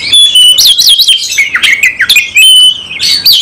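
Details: Oriental magpie-robin singing fiercely in fighting style: loud, wavering whistled phrases and quick descending slurs, tightly packed with no pauses.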